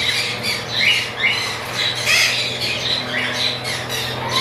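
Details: Breeding pair of chattering lories calling with repeated grating, screechy squawks in short uneven bursts, backed by a constant low hum.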